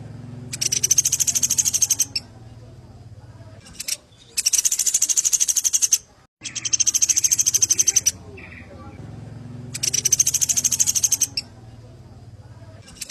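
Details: Sampit singing strongly, recorded as a tutor track for birdkeepers: four bursts of rapid, evenly pulsed high-pitched trills, each about one to two seconds long, separated by short pauses, with a low hum beneath.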